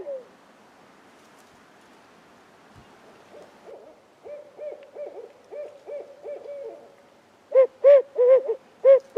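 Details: Calling from a new, unseen spot in the trees, a barred owl provides the only activity of a spring turkey hunt before heavy rain. Quiet background hiss, then a soft run of hoots, then loud, separate hoots at the end.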